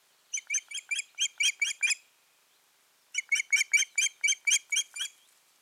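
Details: Osprey pair at their nest, 14 June 2019, following an abandoned incubation; two bursts of about eight rapid, shrill piping whistles each, roughly five per second, separated by a one-second pause.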